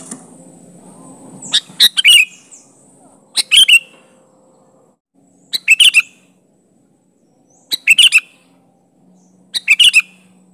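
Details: Sooty-headed bulbul pressing a rival with its natural, unmimicked call: five bursts of three or four quick bright chirps ending in a downward slur, about two seconds apart, after a brief rustling noise at the start.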